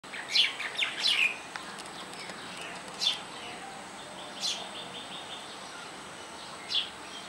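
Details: House sparrows at a roof nest, a mother feeding her chicks, give short, high begging chirps: a quick burst of several in the first second, then single chirps every couple of seconds over a steady hiss.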